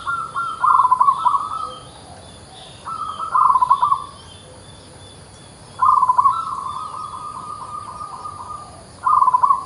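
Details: Repeated song of an actively singing local zebra dove: four short phrases spaced a few seconds apart, each a fast burbling run of low notes ending in a held tone, against a faint constant hiss.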